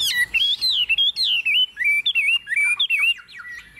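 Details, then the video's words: Tame hwamei singing confidently while set on a table: a short run of bright, slurred whistled phrases, each dipping and rising, delivered in quick bursts with brief pauses between. "Họa mi thuần xách tay đặt bàn tự tin hót"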